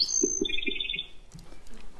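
Black-throated Sparrow song: a high, clear opening note followed by a quick, tinkly trill, with low thumping sounds underneath.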